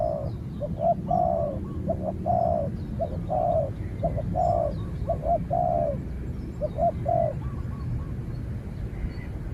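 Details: Decoy spotted dove in training exchanging calls with a wild rival that fights from afar and is finally driven off; soft hollow coos in repeated groups of short and long notes, roughly one per second, low background rumble.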